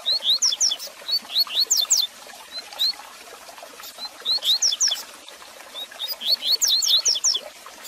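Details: Warm-up song of a double-collared seedeater for training caged birds: loud, rapid bursts of high, sharp whistled notes slurring up and down, in three phrases split by short gaps, over faint hiss and clicking.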